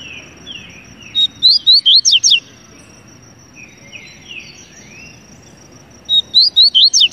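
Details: Double-collared seedeater singing: two bright, high song phrases, each a rapid run of about six slurred, up-and-down whistled notes, spaced roughly five seconds apart. Softer descending notes fall between phrases, over a faint steady high-pitched whine.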